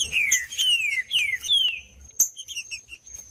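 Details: Trinca-ferro (green-winged saltator) singing to get a cold bird singing: four bright whistled phrases, each gliding steadily downward, followed by a sharp click and several soft chip notes, with a thin steady high tone behind.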